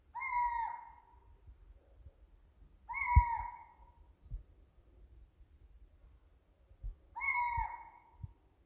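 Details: Eurasian scops owl at night, recorded with a smartphone: loud, clean whistled single notes repeated at roughly three-to-four-second intervals, with soft low thumps and handling knocks in between.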